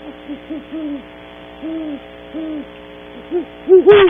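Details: Early morning at a cavity on Audubon Starr Ranch, California, where a pair of great horned owls call: a string of muffled low hoots spaced unevenly, closing with a loud sharp hoot and a brief rustling burst.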